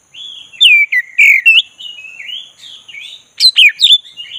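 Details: Song of a black-breasted Oriental magpie-robin being prompted to sing: a flowing run of clear whistled notes, wavering and sliding, ending in sharp bright chirps.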